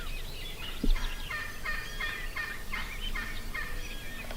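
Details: Wild turkey longbeard in Nebraska, a call-shy tom hunted without calling or decoys: a series of quick pulsed gobble notes runs through most of the recording, with a brief thump near the start and birds in the background.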